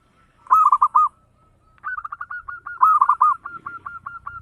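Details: Local zebra dove in fast 'ngayer engkel' singing, played to stimulate other doves: a brisk burst of rolling coos, then a longer series of rapid, evenly spaced mellow notes with overlapping cooing phrases.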